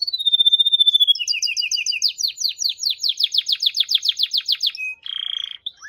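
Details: Singing canary: a sustained clear whistle gives way to long fast trills of repeated syllables, ending in a brief buzzy rattle.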